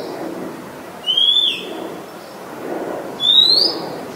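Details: Very common resident Oriental magpie-robin singing in Ubon Ratchathani, Thailand, 17 July 2022, Nikon P1000 recording: two clear high whistles about two seconds apart, one level and slightly falling, one rising, above a soft low background hum.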